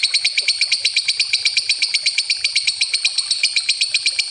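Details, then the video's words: Lovebird ngekek, a long trill used as a lure, heard as a steady, fast run of sharp high pulses, about nine per second, unbroken throughout. "Suara Lovebird ngekek panjang pancingan ampuh"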